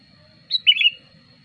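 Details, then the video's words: Sooty-headed bulbul lure song for drawing in wild birds: a single brief phrase, a high clipped note followed by a bubbling, warbled slur, over a low background hum and a constant thin high tone. "suara pikat burung kutilang gacor ampuh"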